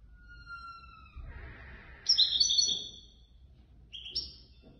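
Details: European goldfinch, third place in a Casablanca bird-lovers' association competition. Thin steady whistled tones start over a noisy background, followed by a loud high twittering burst and a shorter trill later.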